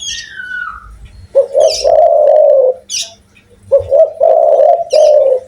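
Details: Loud-voiced Spotted dove from Indonesia cooing in deep, drawn-out notes after a short descending whistle at the start, with two coo phrases separated by a brief gap and scattered sharp high chirps from other birds.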